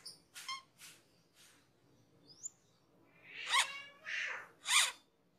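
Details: Cucak keling, a cage bird, in a master recording made for training: rasping, noisy notes, then a thin upward whistle, then three loud grating bursts in quick succession.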